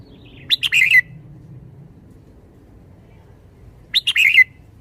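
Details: Red-whiskered bulbul kept in a cage, lively and spirited, giving two quick chirping, warbled song phrases about three and a half seconds apart over a faint low background rumble.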